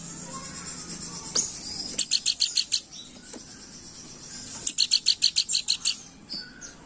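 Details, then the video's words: Planduk bukit in lively gacor crewet song, recorded as a lure call: two bursts of quick, sharp, high-pitched chips, each about six to eight notes, over a faint steady hiss. "Burung Planduk Bukit Gacor Crewet"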